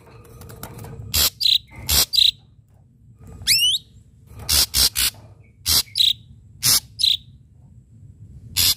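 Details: Actively singing ashy drongo with sharp, punchy notes: harsh broadband rasps mixed with brief high whistles and one steep rising sweep, delivered in irregular clusters.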